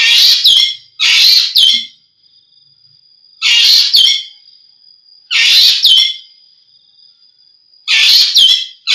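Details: Green magpie calling in loud harsh bursts with downward-swooping squeaky notes. The calls come singly and in pairs about every two seconds, over a faint steady high tone.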